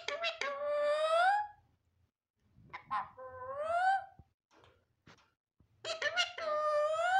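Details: Pet talking parrot saying "Allah Hu": three drawn-out, harmonic, voice-like utterances that rise and then level off, each about a second or more long, separated by short pauses with faint low background noise.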